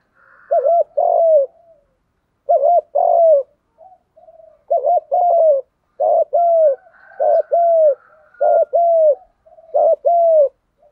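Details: Spotted doves, males and females, cooing to stimulate other doves to coo during training: deep, mellow, two-part coos repeated in steady phrases about every one to two seconds, with a faint higher note between phrases.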